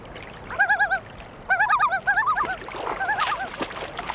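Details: A Common Loon on a northern Canadian breeding lake yodels during a territorial dispute with rivals, proclaiming ownership: loud, wavering, rolling phrases of repeated rising-and-falling notes in three bursts, faint watery background.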